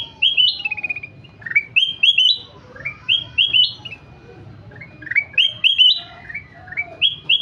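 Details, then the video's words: Golden-fronted leafbird singing repeated phrases of ringing, rising whistles and a short descending trill, each burst about a second long, returning every second or so. "Burung kutilang emas gacor"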